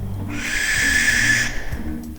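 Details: Masked owl near Margaret River, Australia, at dusk when the owls wake, giving a single harsh, hissing, rasping screech of about a second over a low hum; possibly responding to an intruder or a potential mate after being disturbed.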